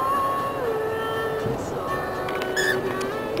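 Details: Sustained melodic tones stepping between pitches, like music, over a steady background hum, with no clear animal call.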